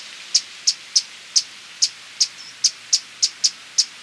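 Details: Violet-capped woodnymph (hummingbird) giving about eleven sharp, high chips, spaced roughly a third of a second apart, against a quiet background.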